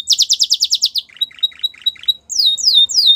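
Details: A white Belgian canary sings a quick series of bright repeated notes, then softer lower chips spaced evenly, then loud sweeping downward whistles repeated about three times.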